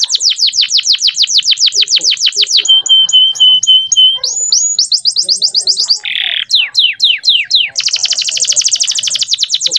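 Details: Male canary singing as a tutor recording for training young canaries to sing early and often: clear, rapid high trills in shifting phrases, including fast downslurred rolls, a steady piping whistle, a buzzy burst and a closing dense rattle.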